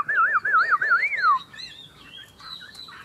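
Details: Two Chinese hwamei in a singing contest; loud looping whistled phrases rising and falling in quick waves, then quieter thin higher whistles trailing off.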